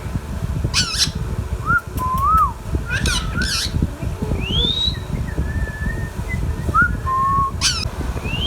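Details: Indian ringneck parrot, a talking pet, mixes short harsh wavering squawks with mid-pitched whistled phrases, a long rising whistle, and a level drawn-out note, over continuous low background hum.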